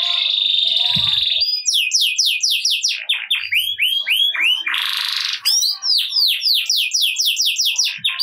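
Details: Gacor ngerek canary, meant to make lazy canaries sing at once: a long buzzy drawn-out note, then bursts of rapid high swept syllables, another harsh buzzy roll, and more quick sweeps.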